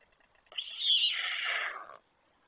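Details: White stork young still at the nest with parents nearby, Przygodzice, 24 July 2021, nest camera: a rough, hissing, wheezy call lasting about one and a half seconds, then silence.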